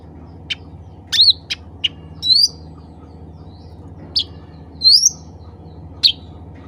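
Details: Black-capped bulbul calling other bulbuls of its species, giving a loose series of brief sharp chips and upslurred whistles spaced irregularly, with a faint low hum underneath.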